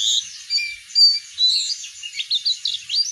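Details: Oriental white-eye song, used to prompt other birds to sing: a loud, rapid run of high, twittering whistled notes, jumping up and down in pitch without pause, clean with no other sounds.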